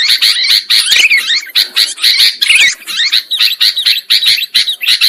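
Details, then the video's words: Several sooty-headed bulbuls in a lure recording used to trap birds, calling in a loud, crowded chorus of rasping chirps and looping whistled notes, pulsing rapidly throughout. "Suara Pikat Burung Kutilang Ampuh"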